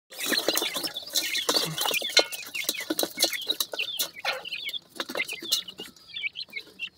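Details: Pheasant chicks calling to their mother while feeding: a dense, overlapping stream of short, high, sharply rising peeps, many birds calling at once, with soft rustling and scratching underneath.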